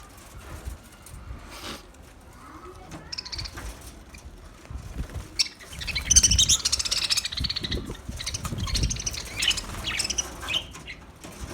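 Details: Budgerigar with a parrot talking voice: a soft start, then dense high chirping warble and scratchy chatter from the middle onward, with low rumbling background noise.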